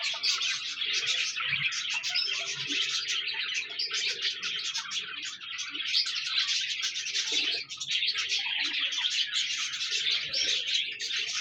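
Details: Budgerigars chirping and chattering in a dense, continuous buzzy warble of many overlapping high notes, with short squeaks and scratchy twitters throughout and no clear pauses.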